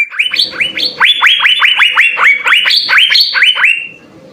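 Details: Asian fairy-bluebird song, used to train songbirds: a dense, lively run of loud, rising whistled notes, three to four per second, alternating between two pitch levels before fading out.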